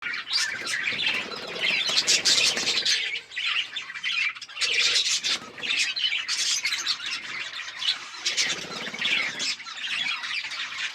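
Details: Budgerigars chirping while eating food, recorded October 29, 2023: a dense, continuous chatter of overlapping high, scratchy chirps and warbles from several birds, swelling in loud bursts with brief dips between them.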